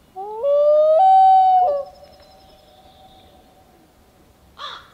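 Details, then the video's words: Common loon calling in Maine, recorded handheld from a kayak: one loud, pure, mellow tone that steps up and holds for about a second and a half, then fades into a long faint trailing note, with a short harsh burst near the end. "Loon Calls in Maine"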